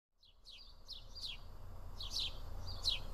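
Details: House sparrows feeding together in a flock at Karyotissa, Greece; a handful of short, bright downslurred chirps, each dropping sharply, spaced irregularly over a low rumble of background noise.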